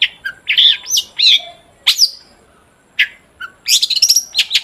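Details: Long-tailed shrike song, used as a lure to get other shrikes singing: loud, varied phrases of sharp chirps, slurred whistles and buzzy notes, broken by short pauses, with one rasping stroke near the middle.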